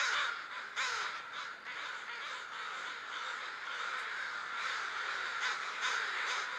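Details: A large group of crows gathered before going to roost, a dense, noisy chorus of overlapping harsh caws with a few louder calls standing out above the steady din.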